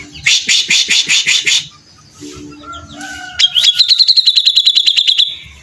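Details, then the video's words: Grey-cheeked bulbul in vigorous 'beset ngepik' song: six loud buzzy chatter bursts, a soft whistled interlude, then a long rapid trill of high repeated notes. "cucak jenggot gacor dor"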